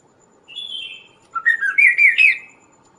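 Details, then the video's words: Kaso-kaso bird, recorded to tutor songbirds and lure wild birds: a high, thin drawn-out whistle, a short pause, then a lively string of four or five warbled, rising and falling notes. "suara Burung Kaso-Kaso gacor"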